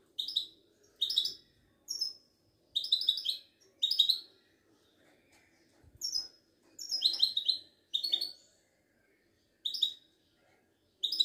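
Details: Caged Moroccan goldfinch, Wedani type, at a bird market in Casablanca, repeating bright jangling twitter phrases roughly every second, with short pauses and a quiet background.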